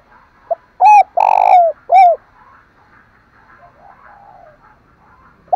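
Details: Decoy spotted dove calling to provoke and lure wild doves: a brief note, then a loud phrase of short coos and one long, rough, hoarse coo with a falling end, recorded very close and overloaded; faint distant cooing follows.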